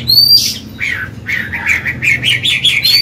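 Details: Old Chinese hwamei singing in a wild forest style to train newly caught birds and stimulate males: a high thin whistle and a burst, then a quick string of repeated warbled notes climbing slightly in pitch.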